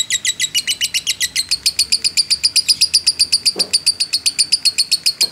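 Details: Lovebird of fighter type giving a long ngekek trill, used as a lure to provoke other lovebirds: a fast, steady run of high, sharp chattering notes, about four per second, with a single low thump midway.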